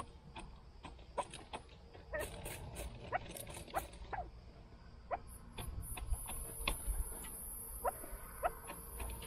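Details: Chukar partridges kept by their owner utter quick, clipped chuck notes in loose irregular series, with brief high hissing bursts and a steady low background rumble.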